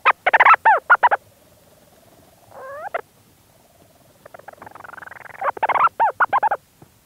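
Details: Leach's storm petrel in its burrow at St Lazar, close up: rapid chattering bursts of arched harmonic notes, a brief rising purr, a low hum, then a long churring build-up into more fast chatter.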